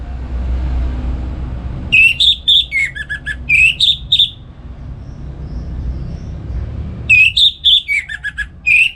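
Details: Orange-headed thrush singing ngeplong gacor at home in the morning as a training model for other songbirds: two bursts of quick whistled, fluty notes with falling slurs, separated by a few quiet seconds.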